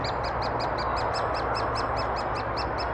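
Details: Great spotted woodpeckers feeding their chicks in Thurrock woods on 20 May 2014, recorded with a FinePix HS50EXR camera: sharp, high clicking notes repeated steadily about five times a second over a constant low background hiss.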